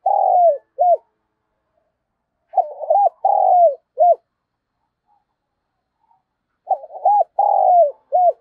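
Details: Spotted dove used as a decoy, calling in the morning in the thúc and chiêu styles: three low, mellow phrases, each a quavering coo, a long falling coo and a short final note, repeated about every three seconds with quiet between.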